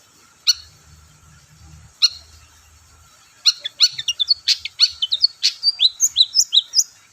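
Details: Lure song of a long-tailed shrike, used to provoke other shrikes to sing: two isolated sharp ticks, then a fast, accelerating run of clipped chips and thin whistled slurs, roughly five notes a second.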